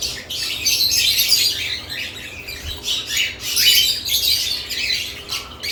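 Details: Several lovebirds around their nest boxes give high, raspy twittering in pulsing bursts, interrupted by brief lulls.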